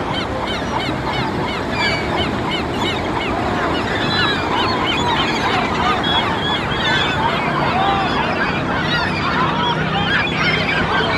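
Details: Flock of seagulls on Malibu Beach, Pacific coast of California, crying continuously. Dense, overlapping yelping and mewing notes, some rising then falling, over constant surf.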